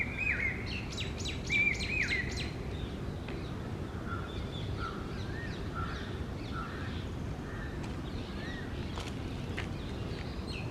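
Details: A pair of rose-ringed parakeets, also called Indian ringnecks, making a nesting hole in a tree during the summer breeding season. Shrill, harsh squawks are repeated in a quick burst, then softer chirps from other birds continue over steady outdoor background noise.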